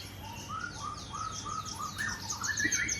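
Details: White-rumped shama at a bird breeding farm in Bogor, morning: a series of clear whistled notes, each rising then falling, roughly every half second, climbing higher near the end, with thinner high chirps from other birds above.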